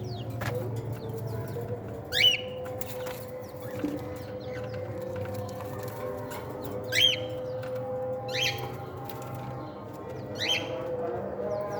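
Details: Cockatiel chicks during a playful meal time call now and then: short, sharply rising squeaky chirps at irregular gaps of a few seconds, over a constant low background hum.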